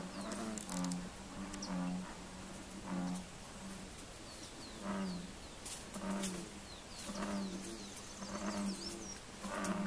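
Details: Neotropic cormorants visiting a fish pond give low, pig-like grunts in short bursts about once a second, with faint high chirps of small birds in the background.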